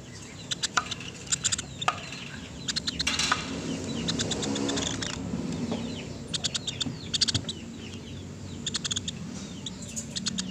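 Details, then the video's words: Clear woodpecker calling, used as tutor audio for pet birds. Rapid rattled series of high, sharp ticks are separated by short pauses, with a louder rushing noise in the middle and faint hum beneath. "MASTERAN PELATUK SUARA JERNIH"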